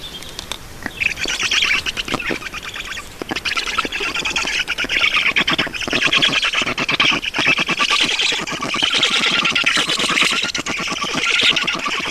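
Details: Black stork chicks begging at feeding in Estonia on 5 June 2019: a continuous stream of harsh, rasping squawks and hissy wheezes, densely repeated with rapid clicking pulses throughout.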